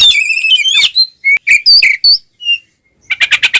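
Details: Oriental magpie-robin, ngeplong fighting song used to challenge rivals: rich warbled whistles, then a few spaced slurred notes and a quiet gap, closing with five quick clipped notes.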